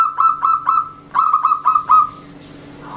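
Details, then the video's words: A female zebra dove calls a loud local male and the two reply to each other. Three clear repeated notes, a short pause, then four more that fade into quiet, with a faint steady hum underneath. "Perkutut betina memanggil jantan bersahutan dengan kutut lokal gacor jantan suara besar"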